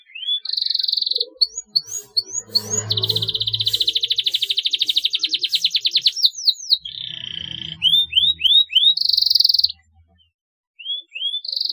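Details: Canary singing to coax young canaries: high trills, rising whistled upslurs, a long rattling trill, a lower trill and more upslurs, with some low rumbling noise in places.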